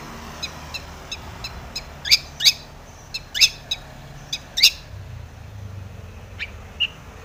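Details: Long-tailed shrike song meant to provoke other shrikes into singing: scattered sharp, clicky chips and harsh short bursts at irregular intervals over a steady low background hiss.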